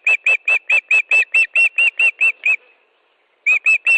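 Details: Osprey at a nest in Estonia, evening of 13 July 2013, during a fish delivery: a rapid run of twelve piercing chirps, a short gap, then three more chirps.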